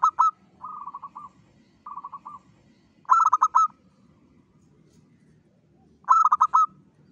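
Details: Local zebra dove in full, frequent song, used as a lure to attract all kinds of zebra doves: loud, rapid, stuttering cooing phrases recur about every three seconds, with softer pulsed coos between them over a low background rumble.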